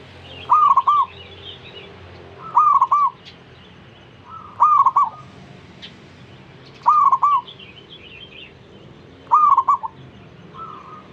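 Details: A zebra dove singing to prompt other zebra doves to join in. It gives five loud cooing phrases, each a long note followed by two or three quick pulsed notes, about every two seconds. Fainter, softer coos answer in between.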